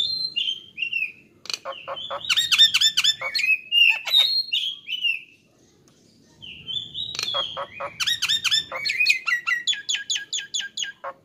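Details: Loud Nias hill myna song used to train and stir songbirds: sliding whistles mixed with rapid squawky, crackling bursts and fast repeated chattering notes, in two long phrases split by a brief silence.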